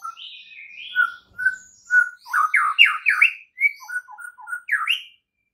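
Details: White-rumped shama singing a morning training song intended to make other shamas sing: rich, varied whistles, some sliding up and down, grouped into fluty phrases with brief gaps.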